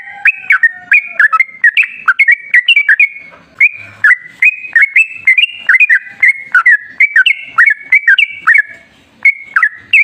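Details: Sooty-headed bulbul singing energetically in ropel ngalas style as a lure for other bulbuls: rolling run of bubbly, slurred whistles, up-and-down notes strung together for ten seconds with brief gaps.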